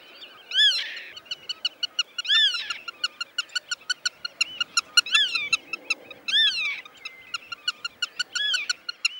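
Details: Black-tailed godwit in the Netherlands, a wader of polder meadows that winters in southwest Europe and West Africa, gives ringing arched calls roughly every two seconds amid a continuous train of quick, evenly spaced clicking ticks.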